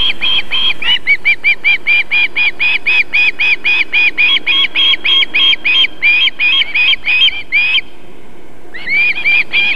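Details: In Võrumaa, South Estonia, a female osprey feeding chicks at the nest on 31 July 2021, 19:51, calls in a fast unbroken string of clear whistled chirps, then stops for a second before another quick burst.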